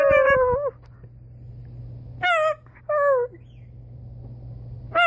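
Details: Caged-home blue-and-gold macaw copying its owner's sounds in play, giving clear tonal calls that slide downward, each about half a second long, separated by pauses over a low indoor hum.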